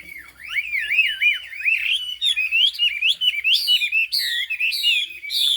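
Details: Hà Giang highland hwamei, turmeric-beaked with a fig-leaf tail, delivers loud looping whistles that swoop up and down, then bursts into piercing high rising notes repeated in quick succession.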